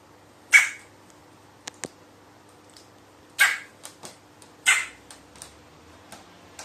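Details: Crow recorded 4 June 2018 sneezing repeatedly in a run of four: three loud, hissing, explosive bursts near 0.5, 3.4 and 4.7 seconds, plus faint clicks and small rustles in between.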